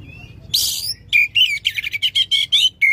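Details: Oriental magpie-robin, loud song meant to restart a non-singing magpie-robin: a scratchy rasp followed by about ten quick, ringing, slightly buzzy notes in a tight sequence.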